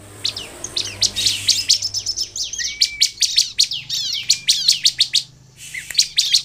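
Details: Bar-winged prinia singing vigorously to provoke other prinias to sing: dense runs of shrill, clicking chirps repeated several times a second, a drawn-out lower whistle near three seconds, and a short gap before the chirps resume.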